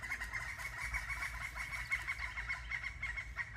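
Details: Two large red-headed woodpeckers call back and forth to each other with harsh, chattering calls in quick succession at a steady mid pitch, over a low rumble of background noise, before flying off.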